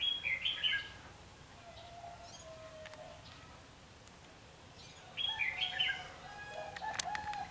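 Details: During trapping with a decoy, 14 March 2016, a red-whiskered bulbul gives two bursts of rich, warbling whistled phrases several seconds apart, with light clicks and rustles between.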